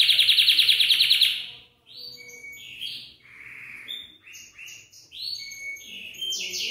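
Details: Belgian canary singing to encourage young canaries to sing. It opens with a loud, rapid rattling trill, pauses briefly, then gives a quieter run of varied whistled slurs and short notes, ending in a rising trill.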